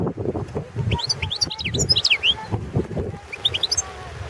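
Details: European goldfinch, subspecies Carduelis carduelis balcanica, singing for a 2017 world championship goldfinch song contest in Serbia: lively sequence of sharp rising and falling whistled notes and twittery slurs, a short pause, then more, over low rumble.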